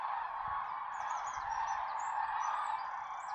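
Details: Common cranes at a golden sunrise in the Tister Bauernmoor, with much water and more clouds than forecast. A dense, continuous chorus of honking trumpet calls merges into a steady roar, while thin high chirps of small birds flicker above.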